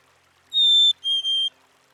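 A Black-capped Chickadee whistles its clear two-note song: a pure, high first note, then a slightly lower second one, sweet and even.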